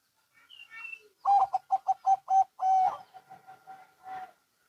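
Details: Zebra doves, local and Bangkok birds, exchanging calls: faint opening notes, then a strong rhythmic run of six evenly spaced coos ending in a drawn-out note, with softer answering coos trailing off.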